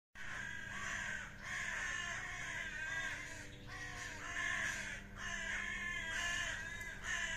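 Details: Common ravens fighting: harsh, buzzy croaks overlap almost without pause, rising in bursts roughly every second, a dense rasping chorus with steady low hum beneath.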